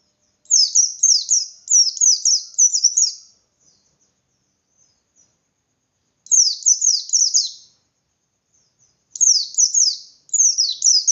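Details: White-eye singing insistent ngalas-style phrases to lure other white-eyes into responding: three long bursts of quick, high, downward-sweeping whistles, each lasting a few seconds, separated by silent gaps.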